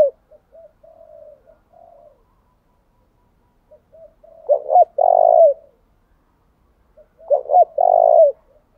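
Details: Decoy spotted dove luring wild doves with a continuous, varied urging coo. Soft faint coos open the recording, then two loud phrases of paired short notes and a long, steady coo about 2.5 seconds apart.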